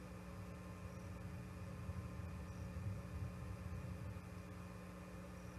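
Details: Steady low engine-like hum with layered tonal drone and broadband hiss throughout, with no animal voice heard.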